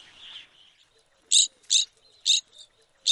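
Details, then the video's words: Evening grosbeak, a large finch that often visits feeders in flocks, recorded in Wisconsin: four loud, short, sharp notes spaced roughly every half second, with a softer note between them and a faint burry sound at the start. "Evening Grosbeak"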